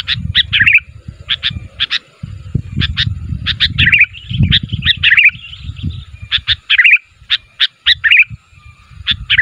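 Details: Sooty-headed bulbul calling so that other bulbuls answer: short bright chirping phrases repeated in clusters, some with a warbling rising-and-falling quality, over low rumbling background noise.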